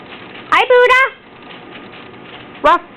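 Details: An African grey parrot kept at a technical school, asked to bark, imitates a dog indoors with three hoarse, voice-like barks: a short one, a drawn-out double 'ruff', then another short bark two seconds later.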